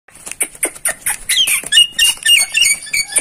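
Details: Starling masteran song: rapid chattering series of short sharp notes, about three or four per second, then a run of varied twisting whistles and squeaky slurred phrases.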